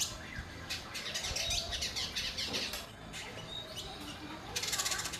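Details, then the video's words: Singing indigo bird giving clusters of thin, high twittering chirps in irregular bursts, with a brief pause near the middle and a louder burst of rapid chirps at the end, over steady hiss. "Burung indigo bernyanyi"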